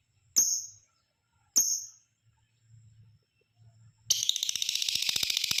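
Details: Lovebird chattering to provoke other lovebirds: two sharp, very high chirps about a second apart, then a sudden continuous rapid trill of harsh pulsed chatter through to the end.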